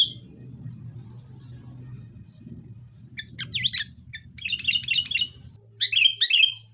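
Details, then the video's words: Sooty-headed bulbul song from a fighting lure recording for caged birds: a steady low hum at first, then lively bursts of chattering whistled notes rising over it. "kutilang gacor TARUNG buat pancingan kutilang agar bunyi"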